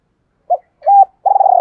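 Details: Decoy Spotted Dove kept to lure wild doves, double-voice (giọng đôi) calling: a brief soft coo, a longer level hooted note, then the start of a throbbing rolled purr, with nothing else audible.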